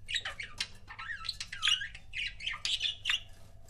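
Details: A pair of pet budgerigars chatters in dense, rapid warbling chirps and scratchy squawks, bright and high, overlapping with hardly a pause, over a faint low indoor hum.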